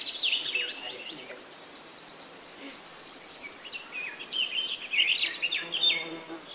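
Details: Jungle babblers fighting: harsh, squeaky chattering and rapid high notes, with a sustained shrill buzzy note in the middle, then more scratchy, rising and falling squeals.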